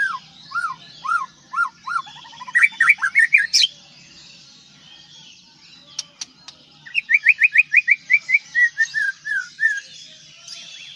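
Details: White-rumped shama from Aceh singing varied phrases: repeated rising-falling whistles, a quick accelerating trill, a pause with sharp clicks, then a rapid run of descending chirps.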